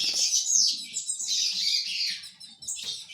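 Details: Ultramarine grosbeak of the fibra tournament type singing a brief, continuous run of bright, rapidly modulated warbled notes, ending in a short separate flourish.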